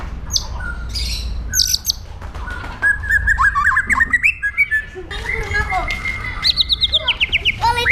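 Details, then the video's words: Caged white-rumped shama from Indonesia giving an aggressive training song: scattered sharp high notes, then a long run of rapid slurred whistles and a rising series of high chattering phrases, with low hum throughout. "PASTOL JAHAT MENTAL BAJA | MASA DEPAN CERAH | SHAMA BIRD"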